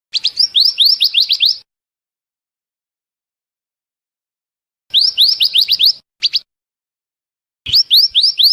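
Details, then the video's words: Scarlet minivet lure song used to draw in birds for trapping: three bursts of quick, bright, rising whistled notes, each burst a rapid run of upslurred sweeps, separated by silent pauses. "suara pikat burung mantenan/merapi api dijamin langsung nyaut"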